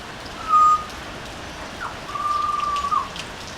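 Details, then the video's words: A butcherbird singing on a house veranda gives two pure, flute-like whistles on one steady pitch, a brief note then a longer held one, over a soft rain-like hiss; finding: butcherbird. "Butcher Bird singing"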